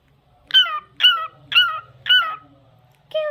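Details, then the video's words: Cockatiel singing: four loud, harmonic, slightly falling notes about half a second apart, then a pause and a fifth, lower-pitched note, over a faint low hum. "Adorable Cockatiel Cute Singing Sounds"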